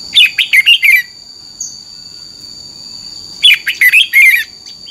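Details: Red-whiskered bulbul song of the doubled 'beun' style, played for caged birds to copy: two quick phrases of five or six liquid, warbled notes, separated by a two-second pause, over a steady thin high whine.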